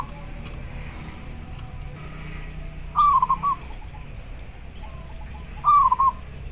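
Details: Local zebra dove calling back to another bird: two bright, trilled coo phrases about three seconds apart, each a quick run of beaded notes, over a soft steady hum.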